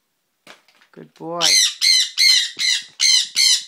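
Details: A baby sun conure, a male pet parrot, gives six harsh, shrill squawks in quick succession, roughly two per second, right after a person's brief spoken words.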